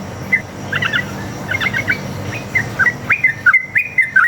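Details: Sooty-headed bulbul, a long single-line song used as a lure to get other birds replying; a run of quick whistled notes that starts jumbled and becomes a steady, rapid series of clear chirps near the end.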